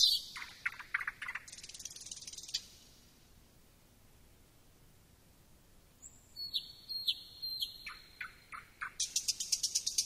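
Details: Thrush nightingale singing: a run of loud, harsh clicking notes, a pause of near silence, then sharp high pure whistles, repeated dry chock notes and a fast, rattling series of clicks to finish. Background otherwise quiet.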